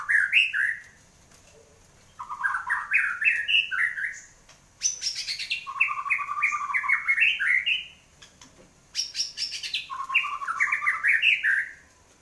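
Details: Post-moult captive white-rumped shama in full, energetic song: four bursts of rapid, tumbling warbled notes, each a few seconds long and separated by short pauses, with sharp high clicks before two of the phrases.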